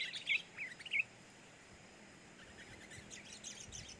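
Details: Newly acquired sooty-headed bulbul, said to be very noisy, gives a quick burst of three or four bright, chirpy notes in the first second. Faint, scattered twittering and steady background hiss follow.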